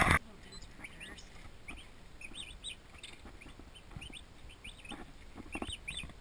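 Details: Soft, somewhat distant peeping from twenty new turkey chicks in a farm nursery: scattered high whistled notes, some in quick pairs, over a steady low background hum.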